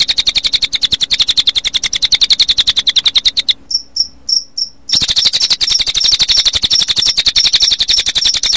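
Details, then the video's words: Cililin bird song mixed with cricket sound, meant for playing to other birds in late afternoon toward dusk; rapid, dense pulsed trilling with high thin whistled notes, breaking into a short gap of isolated sharp chips midway before resuming. "kombinasi suara burung cililin dengan suara jangkrik"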